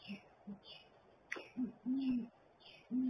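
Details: Great horned owl pair together at a nest barrel; the female's hoot is less low than the male's. Short low notes lead into a long, level hoot and another begins at the end, with faint chirping from other birds overhead.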